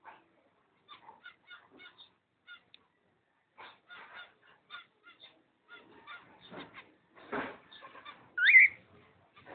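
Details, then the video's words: A pair of cockatiels, recorded 05.06.11; soft scattered chirps and short clicking notes, then a loud, sharp upslurred screech near the end, followed by quieter chatter. "A Pair of Cockatiel"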